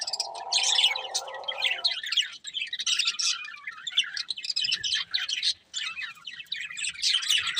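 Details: Colourful budgerigars, a breeding pair, chirping: a dense, continuous chatter of rapid twittering notes, with a low steady hum underneath for the first two seconds.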